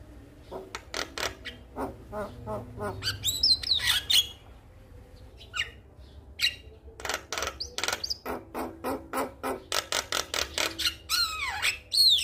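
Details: Lively male Javan myna calling a female, played as a lure to start lazy birds singing. Dense runs of scratchy clicks and rasps alternate with short bright whistles and sweeping squeaks, in bursts separated by brief pauses.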